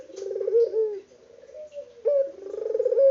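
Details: Unedited recording of an energetic local puter dove. Fragments of its low coo: the end of a pulsing roll sliding down, a quiet pause, then a bright opening note leading into another throbbing roll.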